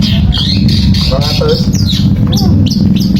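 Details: Long-tailed shrike song used to coax a quiet shrike into singing: quick scratchy chatters and slurred high whistles, with a lower wavering note near the middle, over constant low background hum.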